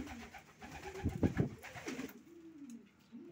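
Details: Racing pigeons, a soft low cooing rising and falling, broken around the middle by a burst of sharp clicks and flutter, then a quieter drawn-out coo to the end.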